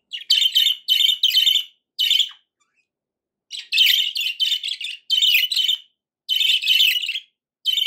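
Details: Loud, happy budgerigar calls: harsh, buzzy chirps delivered in rapid groups of three or four, each group separated by brief silences, with one long pause midway.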